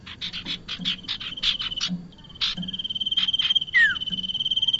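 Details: Bar-winged prinia calls played as a lure for trapping: rapid buzzy chipping notes in quick bursts, then a long thin high trill with a few louder buzzy notes and one sharp descending whistle.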